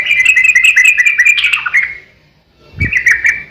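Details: {'text': 'Yellow-vented bulbul fighting song, used to lure other bulbuls into song: a dense two-second run of quick, buzzy-edged whistles, a short silence with a low thump, then another bubbly burst.'}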